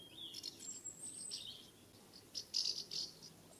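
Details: Several chirpy, buzzy calls from common house martins flying around the nest site during summer in the UK, loosely scattered at first, then a louder run of rapid scratchy chirrups near the end.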